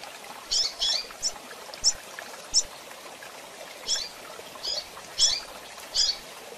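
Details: Female double-collared seedeater calling and chirping for training birds: bright high chips, single or in quick pairs, coming irregularly every half second to a second over steady background hiss.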